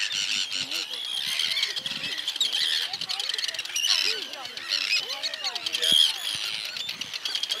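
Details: Arctic terns defending their nesting area on the Farne Islands, North East England, diving at people's heads, give a constant stream of harsh, high, grating alarm calls from many birds at once, with people talking underneath.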